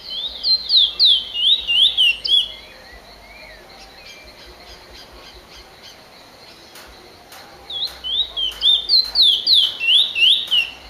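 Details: Finch (emprit) song in two bursts of fast, bright, zigzagging whistles separated by several seconds of quiet broken by sharp clicks and taps.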